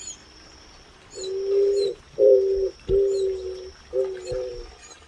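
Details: Eared dove (avoante) in São Miguel do Iguaçu, Paraná, Brazil, gives four low, hollow coos, each under a second long and roughly a second apart, over a faint steady high hiss.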